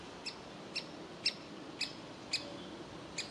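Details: A young woodpecker waiting in its tree hole to be fed; soft, widely spaced short calls, about two per second, each a brief sharp chirp in quiet surroundings.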